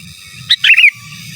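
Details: Gacor sooty-headed bulbul, giras and menggaruda style, kept as a master song: a single brief phrase with a sharp high opening note followed by a fast rolling, dipping warble, with a low droning hum behind.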